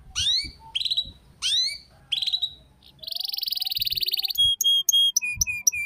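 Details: Canary lure song for young canaries learning ngeriwik: four downward swooping phrases, then a long fast buzzing trill, then clear short whistled notes repeated at a lower pitch, faint thumps in the background.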